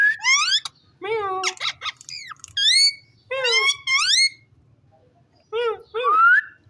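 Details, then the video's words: Pet rose-ringed parakeet, a ring-necked parrot, indoors in a small room: a rapid string of squeaky, whistled chirps with sharp up-and-down sweeps, grouped in bursts separated by short pauses, talking-like chatter, soft background hum. "cute parrot amazing voice talking"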